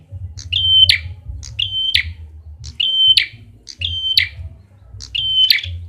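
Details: Lure call of a red-headed prinia: five high steady whistles, each breaking into a buzzy crackle, repeated about every second against a low droning hum.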